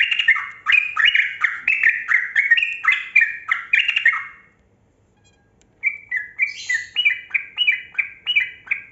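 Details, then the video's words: Long 'ropel' song of a kebo-type yellow-vented bulbul, aimed at prompting silent bulbuls to sing: four and a half seconds of fast stepped chattering whistles, a pause, then a high rasp and another bouncing run of notes. "Trucukan Kebo Gacor Ropel Panjang Pancingan Burung Buka Suara"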